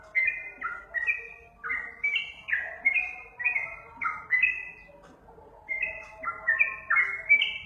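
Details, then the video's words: Sooty-headed bulbul song used to coax caged birds into answering: bubbly whistled phrases of rising and falling notes, a short lull before a final burst, with soft background rumble. "masteran untuk burung trucukan di jamin langsung nyaut"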